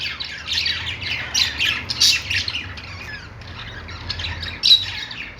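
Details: Budgerigars in a pet store chattering together: bursts of scratchy, squawky chirps and warbles that come and go every second or so, with a steady low hum underneath.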